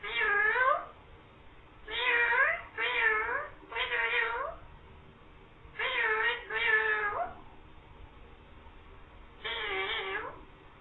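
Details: Talking green parrot voicing "mian mithu" and meow sounds; bursts of nasal, harmonic meow-like calls, some in quick pairs or triplets, separated by short quiet gaps, with faint background hum.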